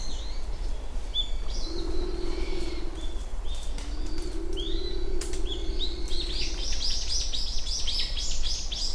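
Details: Two long, steady, low hooting coos from a Japanese wood pigeon at Uwajima, Kaminoseki Town, 29 January 2024 around 07:00; a busy chorus of high, rapid twittering small birds grows louder toward the end.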